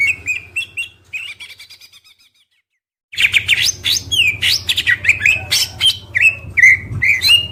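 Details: Oriental magpie-robin masteran with full fills and shots from a kept songbird: short repeated whistled phrases fading to a pause, then a dense burst of sharp trills, slurred whistles and chattering notes, with a constant low hum behind.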